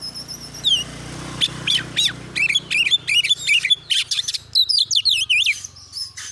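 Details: ['Oriental magpie-robin (kacer) giving a persistent, rapid-fire training song meant to provoke other birds to fight; after a quiet start with a faint falling whistle, fast chattering notes and high wavy whistled phrases follow over low background hum.']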